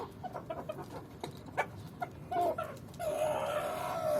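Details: Swedish Flower rooster courting a hen: soft scattered clucks and taps, then a long, steady, drawn-out crow-like note held for over a second at the end against background noise.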